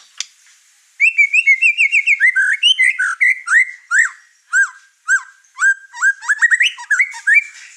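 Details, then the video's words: Over-excited white-rumped shama unloading its repertoire, stirring up the other birds in the house; a fast, varied run of sharp whistled notes, rapid repeated phrases followed by looping, down-slurred whistles at an energetic pace. "Murai Batu Over Emosi Bongkar materi Malah bikin ngamuk burung serumah"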